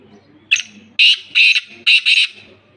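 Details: Sindhi black francolin (kala teetar) calling outside its cage: a short clipped opening note, then four loud, harsh, grating bursts in a rhythmic run, the last two close together, with a quiet low background hum.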